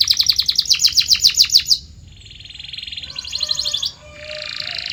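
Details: Canary song for training birds to sing: a loud fast burst of repeated high chirps, then a soft buzzy roll, a brief rapid trill and a sustained rattling high phrase.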